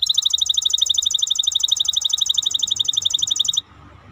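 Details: Maestro bird delivering a long, very fast trill of bright high pulses, evenly spaced and sustained for about three and a half seconds before cutting off into near silence with faint hum.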